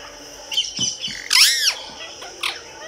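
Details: A pet Indian ringneck parakeet kept indoors gives a loud harsh arched squawk, preceded and followed by shorter raspy chattering notes.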